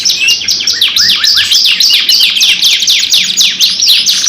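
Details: Gacor kenari (canary) lure song, long 2-in-1 version: rapid high notes of about four per second, sharp downward-slurred whistles mixed with rising sweeps and brief buzzy rolls, a continuous energetic flow with no silent gaps.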